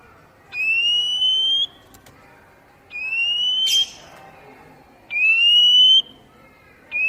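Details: Oriental magpie-robin song played to stimulate captive birds to sing: long, slightly rising pure whistles about a second each, repeated every two to three seconds, with a brief noisy burst between them.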